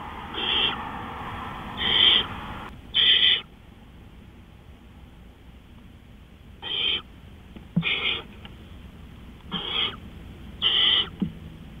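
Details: Owl calling at night, April 20, 2013, at 3:15 AM: seven harsh, hissing screeches, each about half a second long, come at uneven intervals over twelve seconds, with a quiet pause in the middle.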